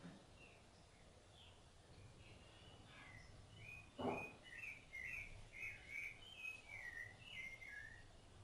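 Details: Rufous-bellied thrush feeding its young: after a few scattered soft notes and a single sharp knock, a continuous flowing song of mellow whistled phrases, roughly one per second, wavering up and down.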